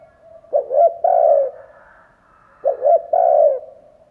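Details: Spotted dove used as a decoy for wild doves, cooing twice: each phrase has two clipped notes and then a drawn-out, mellow coo, with a soft hum between them. Quiet surroundings.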